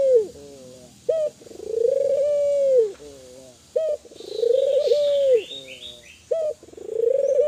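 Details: Spotted dove of the Kelantan type, calling lively to stimulate other doves to call: a short clipped note, then a long mellow coo that swells with a quavering start and tails off, repeated about every two and a half seconds. A faint steady hiss sits underneath.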